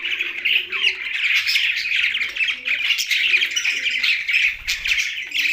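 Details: Young budgie giving loud, continuous warbling chatter, a dense stream of scratchy chirps and squeaks with no pauses, while soft dove cooing sounds low underneath.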